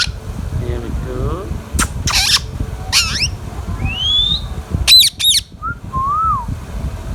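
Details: Pet Indian ringneck parakeet making harsh squawks and a few clear whistled notes with short pauses, plus low background hum.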